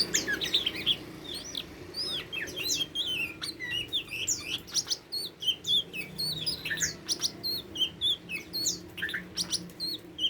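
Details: Tame Oriental magpie-robin delivering a long, varied song of short whistled notes and upslurs, interspersed with crisp clicks, phrases repeating in quick bursts.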